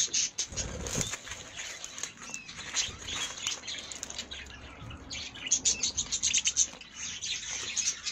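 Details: Colour-variety budgerigars kept in an aviary: continuous overlapping high chirps, warbles and sharp tweets from several birds, louder bursts near the start and again after five seconds, with occasional wing flapping and light patter.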